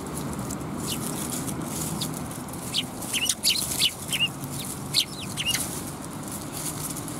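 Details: Sparrows at a Tenmangu shrine on the afternoon of 10 December 2021. A handful of short, bright chirps cluster in the middle seconds over a steady low rumble of background noise.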